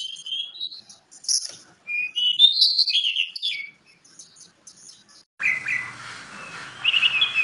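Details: Caged oriental magpie-robin singing a varied run of clear whistles, sliding notes and sharp chirps in quick phrases, later joined by background hiss and a low rumble.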